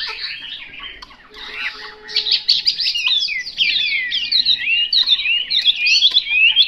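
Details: Chinese hwamei starting with soft, scratchy notes, then bursting into loud, rapid, looping whistles and trills.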